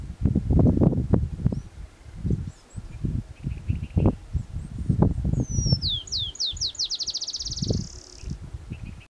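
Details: A Black-chinned Sparrow in Red Rock Canyon National Conservation Area on 4 April 2014 gives high, sweet notes speeding up into a fast, bouncing trill, with loud low rustling and wind noise throughout.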